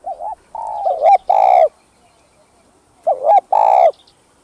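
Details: Spotted dove cooing to rouse decoy doves: a looping note, a long level coo, doubled short notes and a loud drawn-out coo, the phrase repeated after about two seconds of quiet.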